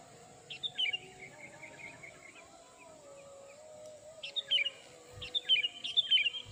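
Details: Lure call of a sooty-headed bulbul, played to draw in wild birds: a chirped phrase at the start, a quiet gap, then clustered chirpy notes returning near the end, faint against a steady high electronic whine.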